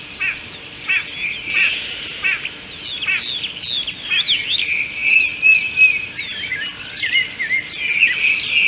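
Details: Common bulbul at an African watering hole, picked up by a live wildlife camera on 13 March 2018; sharp chirped notes repeat at uneven intervals, then run into quicker warbled phrases, all over a steady high insect hum.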